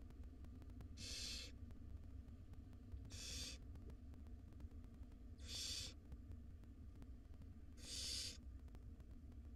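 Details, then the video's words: Five hungry wild barn owl nestlings at dinner time in a nest box: four drawn-out rasping hisses, each about half a second long, spaced roughly two seconds apart against a low background hum. "Dinner time for 5 hungry barn owl nestlings."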